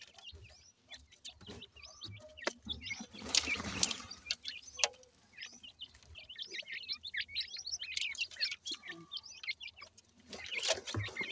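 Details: Young Pakistani teetar partridges at feeding time, giving a busy stream of high, thin chirps and peeps, many overlapping and rising, with a loud burst of noise near the middle and faint low background rumble.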